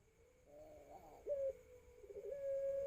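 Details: Pelung dove aged 4 to 5 months practising its cooing: a soft wavering murmur rising in pitch, then a brief loud clear hoot, a lower steady tone and a final sustained even coo, recorded on a mobile phone.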